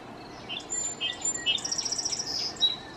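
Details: Male song sparrow singing from a favourite high perch on a 7,200 volt power transformer in the Great Smoky Mountains: a few separate clear notes, then a rapid high buzzy trill of repeated notes, ending with a short phrase.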